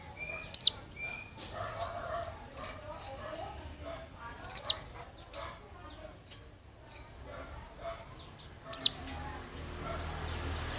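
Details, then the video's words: Oriental white-eye female calling the male, giving three piercing high descending notes about every four seconds, with softer chattering and murmuring sounds in the background between them. "Suara Burung pleci betina memanggil jantan"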